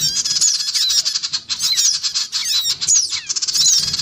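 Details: Lure recording of black-winged cuckooshrikes, female and male with young: an unbroken stream of rasping chatter and bright descending squeals, thick and overlapping throughout.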